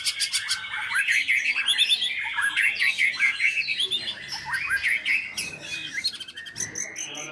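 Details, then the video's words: Varied, rapid song of a Medan-type white-rumped shama from Medan parent stock: tumbling whistles, squeaky notes and chatter, ending in quick high-pitched rattling pulses. "Masteran Pastol (Murai Batu )Agar Ikut Bernyanyi."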